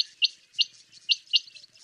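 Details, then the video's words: Common quail giving brief, bright clipped notes in pairs, each spaced about a quarter second apart, with faint twittering between them. "Перепел. Перепёлка. Голоса птиц"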